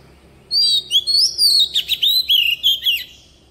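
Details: Wild-style song of an Oriental magpie-robin lure bird for training young birds' voices: a phrase of about ten loud notes mixing long rising whistles, harsh buzzy bursts and falling slurs.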